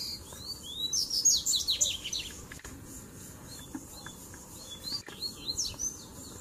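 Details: Double-collared seedeater song from a tui tui, zel zel and mateiro mix played to warm up other birds: one loud rapid phrase of high sharp notes, then softer scattered whistles, clicks and a brief closing burst.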